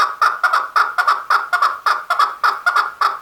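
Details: A male chukar delivers a continuous run of hoarse, clucking notes, some doubled, at a brisk pace of roughly two per second.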